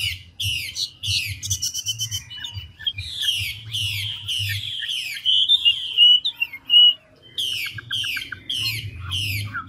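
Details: Big forest-caught Chinese hwamei, 'ngũ trường' style, singing nonstop with switching voices: repeated loud harsh buzzy phrases, a rattling trill, a long sweet whistled passage, then more rasping bursts over a low hum.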